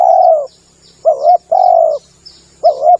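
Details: Spotted dove coos for luring birds: a long soft falling coo, then a clipped doubled note and another drawn-out coo, with faint high chirps and a steady thin background tone.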